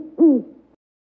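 An owl gives a single low, hollow hoot that dips slightly in pitch, lasting about a fifth of a second, followed by silence.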